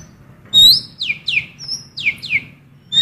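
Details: A blue cucak keling sings female magpie-robin sounds as a lure for males: a loud rising whistle followed by a series of quick downslurred, sweeping notes, with another whistle beginning at the end.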